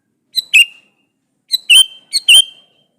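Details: Male sooty-headed bulbul calling a female: three bubbly phrases, the last two close together, each a clipped note then a richer note trailing into a level whistled tone.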